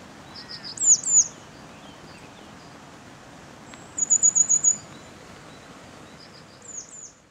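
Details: A grey wagtail sings in winter at Clare, Suffolk: sharp, very high chirps, a quick run of six thin ticking notes, then a few more high notes, over a faint background hum.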